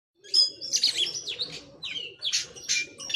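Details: Oriental magpie-robin showing off its full song repertoire: a short run of varied high whistles and scratchy, buzzy notes in quick bursts, with a faint low hum beneath.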